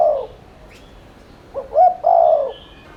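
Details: Spotted dove used as a lure to make others coo: the tail of one coo, a pause, then a full phrase of two rising hoots and a long rough coo, with faint bird chirps.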